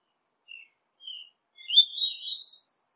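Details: Double-collared seedeater song used to warm up kept birds: a few soft separate high notes, then a continuous rising warbled phrase that climbs higher toward the end.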